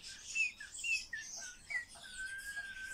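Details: Common starling being trained to talk makes short clear whistled notes in quick succession, about two a second, ending in a long level whistle over soft chatter.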